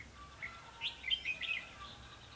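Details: Red-whiskered bulbul heard on 21 December 2015 during bird trapping: a quick, bright phrase of several warbled, slurred notes packed within about one second, set against a quiet background with a faint low hum.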